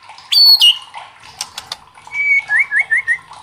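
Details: White-rumped shama recording meant to stir rival shamas into singing: a sharp high double note, scattered clicks, then a wavering whistled trill of four undulating notes.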